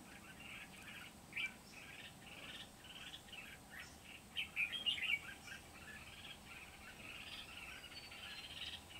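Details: Red-whiskered bulbul trapping session with a wild-caught Kim Bôi bird singing vigorously on 8 September 2019: near-continuous fast chirping and warbling, a louder bubbly burst midway, with steady background hiss.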